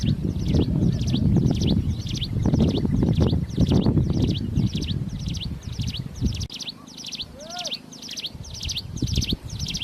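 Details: Plain prinia singing loudly in the wild: rapid series of buzzy, chattering phrases repeated steadily, over heavy low rumble at first, then quieter surroundings with a brief rising whistle from another bird.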